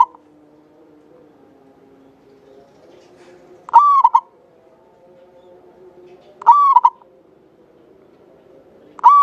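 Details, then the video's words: Javanese local zebra dove, an actively singing bird kept as a lure to draw out other doves, with a long clear voice: three cooing phrases, each a sustained flat note then two short notes, over faint low droning tones. "Perkutut lokal jawa gacor buat pancingan suara panjang bening"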